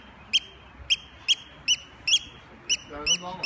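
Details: Eurasian oystercatcher defending its nest by attacking to distract, uttering shrill, high piping notes about every half second; a man's voice joins at the end.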